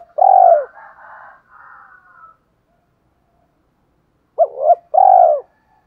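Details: Spotted dove calling to draw wild doves to respond. A long hollow coo opens, followed by fainter trailing coos. After a pause comes a full phrase: a quick double note, then a long, steady low coo.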